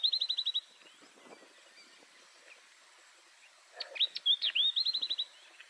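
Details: A pair of yellow-eyed babblers: a fast burst of about ten sharp, high chipping notes, a quiet gap with faint distant chirps, then a mix of upward-flicking whistles and another rapid chipping series.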